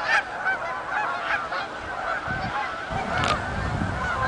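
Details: A flock of Canada geese arriving at a marsh, Oak Hammock Marsh and Fort Whyte, giving a continuous wash of overlapping honks, with some low rumbling noise in the second half.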